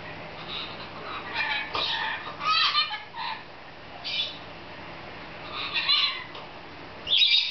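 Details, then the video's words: Lorikeet kept as a pet, playing happily in a newly found playground, uttering scratchy chattering squawks and short harmonic bursts in quick irregular runs, with a loud harsh note at the end. "Laughing Lorikeet"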